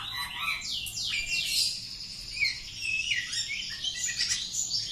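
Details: Singing steadily, a home-kept Oriental magpie-robin in a courage test pours out sweeping downslurred whistles layered over a continuous high buzzy trill, with quick chirps scattered through.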